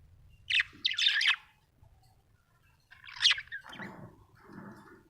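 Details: Budgerigar in a happy mood, giving brief harsh chirps and chatter in two bursts, the second trailing into lower grating warbles, with a soft background hum.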